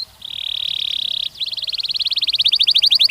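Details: Canary song for training young males and females to mate. A steady buzzy trill holds for about a second. After a short break, a fast train of repeated notes speeds up and grows louder, over a faint background hiss.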